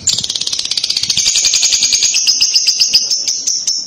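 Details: Lovebird, described as a paud type, in a long kekek-style chatter provoked by a recording: rapid, buzzy high-pitched trill of dense repeated notes, steady for nearly four seconds.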